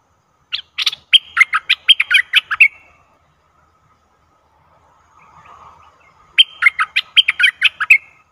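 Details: Bulbul decoy bird singing to lure a wild bird, recorded 11 August 2021; two bursts of quick, bright chattering notes, jumpy and warbled, each about two seconds long, separated by a quiet gap with a soft low rustle.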